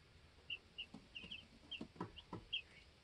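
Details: Two-week-old baby chickens in a coop on a homestead, hopping, learning to fly and challenging each other for pecking order; short high peeps come in scattered ones and twos, with soft scratching and pecking taps underneath.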